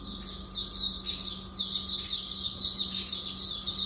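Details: Hume's white-eye (pleci auriventer) singing in the rapid 'tembakan' style: a dense, continuous stream of high, thin chirps and twittering trills with quick sharp accents, over a steady low hum.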